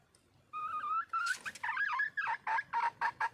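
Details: Female wild red junglefowl calling for a male: a drawn-out wavering note, then harsh rising squawks that settle into short clucking notes about every quarter second.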